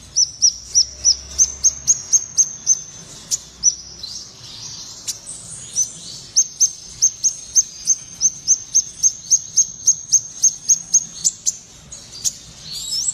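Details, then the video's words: Speckled blue-tailed minivet in full, lively song: long runs of high, thin, sharply clipped chips delivered several per second, with a short break mid-sequence and occasional higher squeaky notes near the end. "sepah raja ekor biru trotol gacor"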